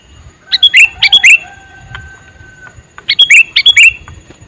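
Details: A male sooty-headed bulbul calling in two quick phrases of loud, bright, slurred whistled notes. Each phrase has about five or six notes, with a short pause between. A faint long steady tone sits in the background.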